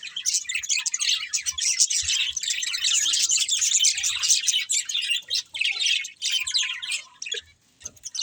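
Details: Budgerigars in long rolling chatter of high chirps and warbles, building to a dense stretch then breaking into shorter separate bursts and falling nearly quiet at the end.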